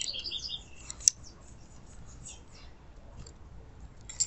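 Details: A female double-collared seedeater chirps to stimulate a male into singing: a quick run of high, thin chirps, then fainter scattered peeps, with a sharp click between them.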